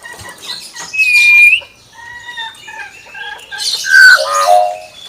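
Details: Pet common hill myna: one bright upward-curving whistle, a run of soft short tones, then a loud harsh squawk that dips into a lower hoarse note.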